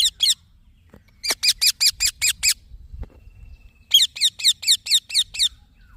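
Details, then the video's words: Baby green parrot giving sharp, raspy chirps in three bursts: a pair, then a run of seven, then a run of about eight, each note brief and evenly spaced, with short silences between bursts. "Green Baby Parrot Chirping Sounds"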